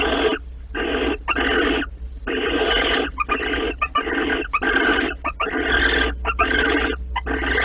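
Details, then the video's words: Barn owl pair mating in a nest box, Holten, 16 March 2020. Choppy, breathy hisses and rasps come in quick bursts of roughly half a second, separated by short silent gaps. "Kerkuil Holten 2020 03 16 paring in de kast"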